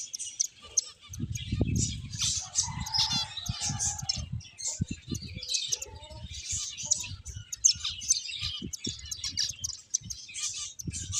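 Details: Several finches playing, giving dense high twittering chirps throughout, with soft low thumps and a brief lower tonal note near the start.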